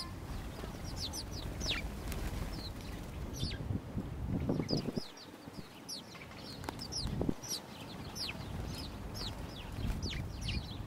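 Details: Tame, fearless house sparrows in the city of Gdynia, Poland, 19 October 2022, chirp in short, bright, scattered notes from several birds, with a few wing flutters over a steady low rumble of city noise.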